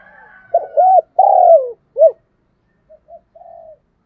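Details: A lure spotted dove coos to call wild doves. It gives a low looping double coo, a long falling coo and a short, sharp coo, then faint, softer coo fragments. A higher drawn-out call is heard faintly at the start.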